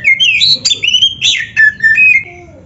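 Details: Kacer, or Oriental magpie-robin, singing a rich varied phrase used to train other magpie-robins to sing: loud rising and falling whistles, quick twittered notes and a long downslurred whistle, with no pause in under three seconds.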